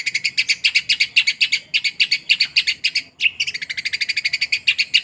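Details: Long-tailed shrike song with mimicked sparrow material: rapid bursts of harsh, high chirping notes run together in a lively chatter. One short pause comes midway before the fast chatter resumes. No other clear sounds.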